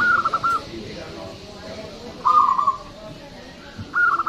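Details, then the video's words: Actively singing local Zebra dove, loud and long-voiced, recorded as a lure: three trilled cooing phrases, a short one first, a rolling one in the middle, and another starting at the end. "PERKUTUT LOKAL GACOR SUARA BESAR DAN PANJANG"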